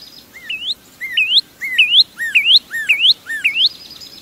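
A Northern Cardinal sings six loud, clear whistled syllables, each a quick dip then a sharp upward slur, repeated about every 0.6 seconds.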